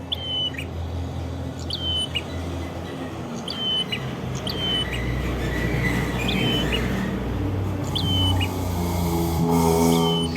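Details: Red-headed prinia singing in Kedungprahu village, Ngawi, East Java: a sharp high note followed by a falling whistle and upward flick, repeated every second or two, with a growing low engine drone behind.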